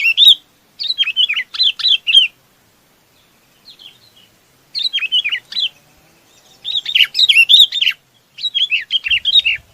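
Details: Sooty-headed bulbul calling to gather the flock, giving bursts of rapid, liquid, up-and-down whistled phrases separated by short pauses, with a soft thud near the end.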